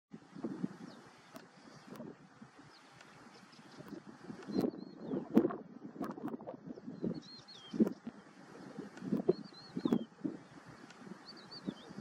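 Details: Common ringed plover (Charadrius hiaticula), call.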